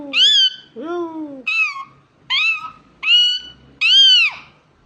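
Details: Indian ringneck parakeet giving six loud, harmonic, slightly arching squawk-like calls, roughly one every three-quarters of a second, with near silence between them.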